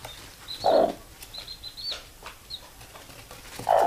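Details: Hen summoning her chicks to sleep, giving two deep, brief clucks at the start and end, while the chicks answer with faint, high-pitched peeping in between.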